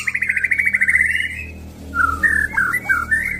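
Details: Male white-rumped shama, a crossbred F-series bird, singing a rapid buzzy trill of repeated notes, then a run of clear, slurred whistles that rise and fall, with a faint low hum underneath.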